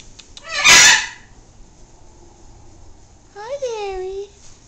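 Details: Adopted pet blue-fronted amazon answering its owner with a talking phrase: a loud harsh burst, then a rising-and-falling vocal inflection like spoken words.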